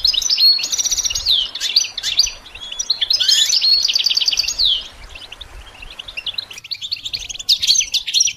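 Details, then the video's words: Goldfinch song for songbird training. Long buzzy trilled phrases and bubbly chirping come in quick succession, about 140 notes a minute. Quieter scattered twitters follow toward the end. "integrated stimulation suitable for all songbirds for goldfinches"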